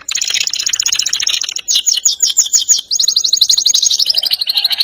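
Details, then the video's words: Canary song in the energetic ngerol nembak style: continuous rapid rolling trills, high and buzzy, with segments changing speed and pitch and brief gaps between phrases. "KENARI GACOR NGEROL NEMBAK | CANARY SINGING"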